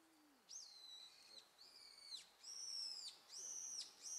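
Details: Japanese pygmy woodpecker nestlings: high, thin, arched notes in harmonic stacks, each held about half a second and repeated roughly every second with little pause, after a brief low sliding tone at the start.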